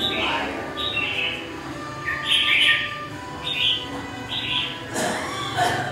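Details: Red-whiskered bulbul, wild-caught and caged for three months, singing a series of brief warbling phrases spaced about a second apart, with a sharp clatter near the end and a constant background hum.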